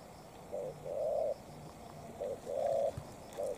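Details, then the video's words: Spotted dove challenge between a bob-tailed decoy and a wild bird. Low, hollow cooing with a brief note followed by a longer, gently wavering one, repeated at a slower, relaxed pace, with faint low humming underneath. "Mồi Cụt Đuôi DNa Quyết chiến Bổi Đồng Sấm - 1 con bổi Chất lượng."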